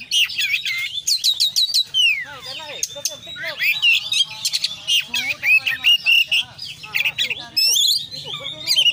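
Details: Oriental magpie-robin in vigorous full-isian song. It opens with rapid high clicks and runs into long descending whistled slurs and harsh warbling notes, with a faint low hum behind.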